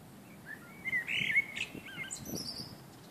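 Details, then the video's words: Common blackbirds singing on a summer evening: a brief, mellow fluted warble that ends in a high, squeaky twitter, over a soft low outdoor rumble. "Blackbirds singing on a summerevening"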